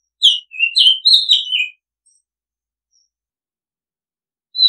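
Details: An Oriental magpie-robin gives one brisk phrase of quick, varied whistles, sweet notes dipping and rising, followed by about three seconds of silence and the start of another high whistle; recording meant for calling and as a decoy sound.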